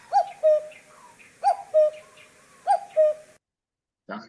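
A Common Cuckoo gives its mellow two-note 'cu-coo', the second note lower, three times about every second and a half. A brief noise follows at the end.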